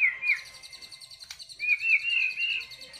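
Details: Murai batu, or white-rumped shama, song with ornate filler phrases: clear wavering whistles at the start and end, a sharp click in the middle, over a steady high buzzy trill.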